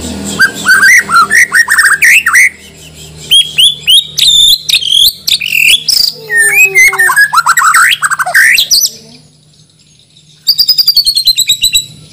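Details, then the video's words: White-rumped shama, a Borneo bird from Banjar kept for singing contests, sings a rich, varied song of whistles, slurred rising notes and rapid chattering phrases, ending in a burst of sharp repeated ticks. "Murai Batu Gacor Full Isian || Murai Borneo Full Emosi"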